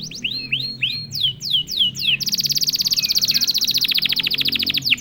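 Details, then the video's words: Canary singing after being prompted once: repeated sliding whistled notes falling in pitch, then a long very fast high trill with loud rhythmic pulses, ending in a few sweeping notes. "KENARI GACOR||060|| Sekali pancing kenari diam langsung bunyi."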